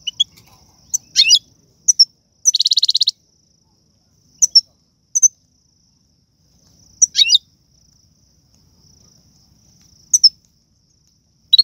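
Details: Algerian goldfinch song in the tiwawti, galoubi and serfati styles, recorded for teaching young birds: sparse high sharp notes and twittery phrases, with a dense buzzy trill near three seconds, over a quiet background.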